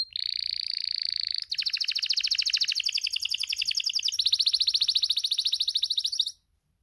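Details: Spanish timbrado canary, breeding-condition male, delivers a steady high rolled note, then a quick bright trill that shifts to a still faster, higher rattling trill before stopping abruptly.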